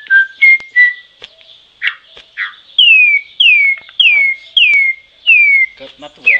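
Troupial giving loud, clear whistled notes, mostly sliding downward, repeated about every half second after a few shorter level whistles and soft clicks.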